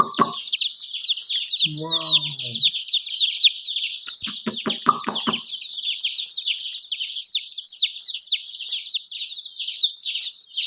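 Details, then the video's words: Chicks chirping in a steady high chorus of falling peeps; a short low voice sounds early on, and a brief run of sharp taps comes midway. "Murgi baby chirping sound"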